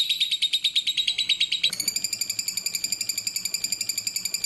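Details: Spaced, clear lovebird master song: brisk series of piercing chirps that abruptly changes into an even, buzzy rattling train of repeated notes, with low background hum.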